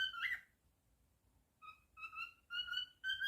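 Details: Captive cockatiel whistling indoors, one bright slurred note followed by a string of steady two-tone whistles that grow longer toward the end, with soft room hum beneath.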